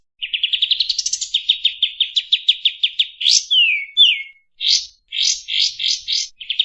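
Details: Kapas tembak Oriental white-eye with a richly varied song. It opens with a rising series of quick chirps, runs into a steady rapid trill, then gives descending whistled slurs and clusters of sharp high notes, clean and unaccompanied.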